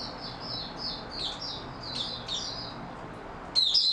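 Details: Oriental white-eye (mata puteh) giving soft, high, repeated thin notes at a steady pace, ending with a louder, sharper twitter.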